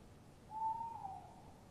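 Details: Pre-dawn exchange between male and female tawny owls near their nest box, 3:07 a.m., 23 March 2015: a single clear, low hoot, swelling then slightly wavering as it fades.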